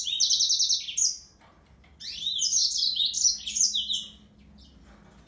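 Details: High rapid trilling from a yellow-fronted canary, a one-second phrase followed by a pause and then a longer run of varied fast notes, ending quietly.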